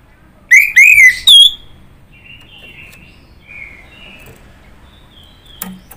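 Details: Orange-headed thrush: three loud ringing whistles, the last rising high, followed by softer warbled notes fading away.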